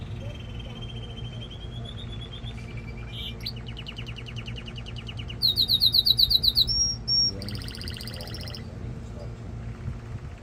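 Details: Canary song meant to stimulate mating and train fledglings: a long sequence of rapid trills and rolls at changing pitches, a loud, very high pulsed burst, pure whistles, and a dense buzzy phrase.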